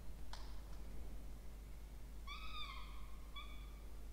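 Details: Peregrine falcon chicks, two, nesting in a water tower box at Orange, New South Wales, Australia, October 2024, being fed; a sharp click, then a long wavering whine followed by a shorter one, against low hum.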